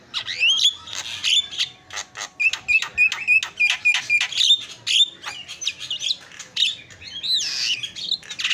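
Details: Javan myna song as a tutor recording, a rapid chattering series of clicks and bright short whistles, later breaking into looping squeaky phrases and rasps.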